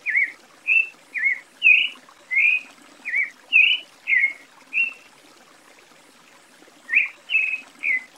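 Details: Creamy-bellied Thrush, known in Brazil as sabiá-poca, in a lively run of about nine brief whistled phrases, some rising and some dropping. After a pause of roughly two seconds it sings three more notes.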